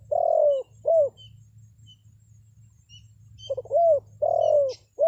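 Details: Spotted dove calling as a lure for wild birds. Low hoarse coos come in a long-short pattern, repeated after a pause of about two seconds. Faint small-bird chirps sound in between, over a low background hum.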